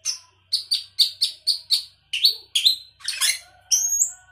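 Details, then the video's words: Sooty-headed bulbul in full 'gacor isian' song, a busy song packed with fill-in phrases. It opens with a run of about ten sharp, evenly spaced high chips, then moves into harsher scratchy notes and ends on a high sliding whistle. "Cucak keling gacor isian"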